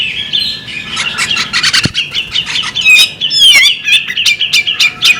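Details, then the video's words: Female bearded magpie robin with a steady, bubbling chatter of short notes, interrupted by a couple of high sweeping whistles and a single low tap. "the alluring sound of a female bearded magpie robin"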